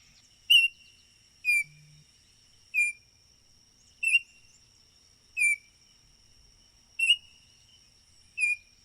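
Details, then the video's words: Baltimore oriole giving seven short, clear whistled notes, each slurring slightly, spaced about every second and a half, over a steady thin high-pitched drone. "Baltimore Oriole Call and Sounds"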